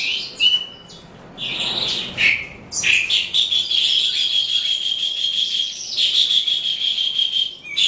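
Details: At the end of the day, an eastern calandra lark sings with a long, level, buzzy high note held for several seconds, framed by sharp chirps and scratchy bursts.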